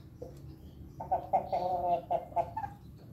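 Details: Pelung chicken at morning feeding, a rooster voicing a string of rapid, choppy harmonic syllables for nearly two seconds, like stuttering laughter, with quiet background rumble.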